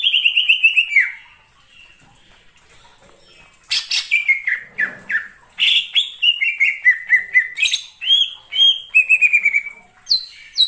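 A leafbird sings rich, varied phrases of clear descending whistles, chattering notes and mimicry-like trills, pausing briefly before resuming energetically.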